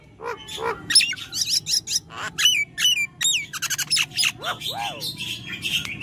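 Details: Nias hill myna, a lively and vocal bird: a varied mix of loud whistles, sharp clicks and swooping harmonic notes, some rising then falling, delivered in irregular bursts with brief gaps.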